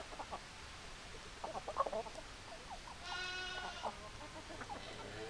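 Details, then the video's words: Chickens on a farm, hens clucking in short broken bursts with a longer harmonic squawk midway, against steady background hiss. "Chicken Sounds Noises Hens Clucking Roosters Crowing"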